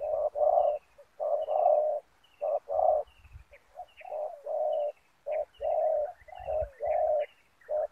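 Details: Spotted dove decoy at a ground snare giving repeated low coos in short and long bursts, while thin, high chirps from another bird sound faintly in the background.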